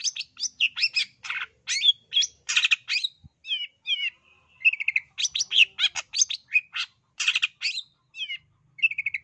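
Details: An East Javan long-tailed shrike, used to stir lazy shrikes into singing, pours out a rapid, varied run of high chattering notes, buzzy trills and whistled slurs, with brief pauses, and no other sounds.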